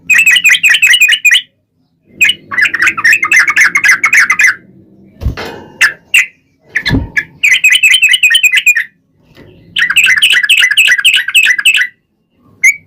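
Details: Trucukan, the sooty-headed bulbul, singing as a lure for other birds to answer: long rapid chattering whistled runs separated by pauses, with a low hum beneath and two sharp knocks midway.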